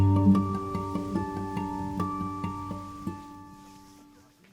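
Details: Soft mallet music like a vibraphone plays struck, ringing notes that gradually decay and fade away, with no animal calls.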